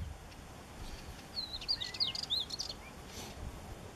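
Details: Spectacled warbler in Cyprus: a short, scratchy burst of high, jumbled chattering notes with a few thin whistles, fairly faint against steady background hiss.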